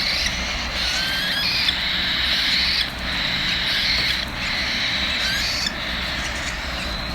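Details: Hungry cockatiel chicks being fed, giving continuous harsh, hissing-buzzy begging calls in long pulsing bursts with short breaks between them.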